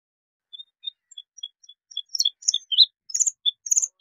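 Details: Bluethroat, Luscinia svecica: a few spaced, soft, thin whistled notes that build into a quicker, louder run of sharp, high chirps and clicks.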